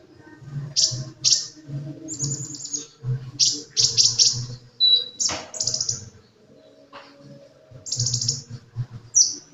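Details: Busy sunbird song of sharp high chips given in pairs and short bursts, one brief whistled note, and scattered scratchy notes separated by short pauses, above a faint low hum.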